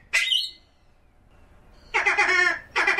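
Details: Common pheasant giving one sharp rasping squawk, then after a silent gap a longer grating burst and another short harsh note.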